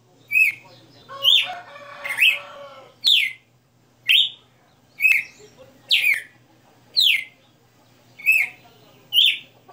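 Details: {'c': "Caged Red-cowled cardinal performing the '60 notas' song: a jumbled cluster of chirps and clucking sounds early, then clear whistled phrases repeating steadily about once a second."}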